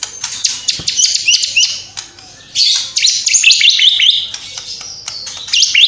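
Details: Actively singing white-rumped shama mimicking house sparrow, fighting lovebird, kapas tembak and cililin. Dense, high, rapid chirps and twitters pour out almost without pause after a brief lull near the middle.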